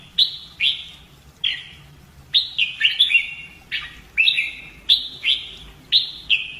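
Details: Caged red-whiskered bulbul practising fighting song gives sharp, descending whistled notes, singly and in quick pairs, repeated roughly every half second to second across nearly seven seconds.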